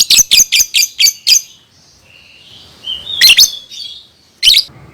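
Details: Caged lovebird song played to teach young birds: six quick harsh chirps in a row, a pause with a faint thin whistle, then louder squawky double notes and one final sharp chirp.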